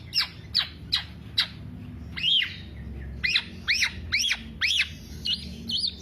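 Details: Kepodang, the Black-naped oriole, in 'kicau sampe teler' singing for lure or master use; sharp downward chirps first, then a run of loud, arched, nasal notes about three times a second.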